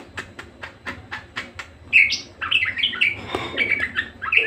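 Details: Budgerigar singing vigorously: a run of sharp, evenly spaced clicks, then bursts of scratchy chirps and short squeaky notes.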